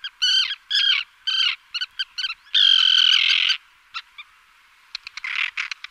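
Common Tern giving harsh, grating calls: several short notes, then a drawn-out rasping kee-arr lasting about a second, followed by scattered scratchy notes.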